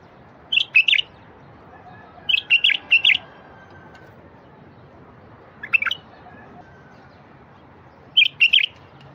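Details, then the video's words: Bulbul song played to prompt silent wild bulbuls to sing: short bright phrases of two or three quick warbled notes, repeated about every two to three seconds over a quiet background. "تغريد لفتح البلابل الوحشية الساكتة"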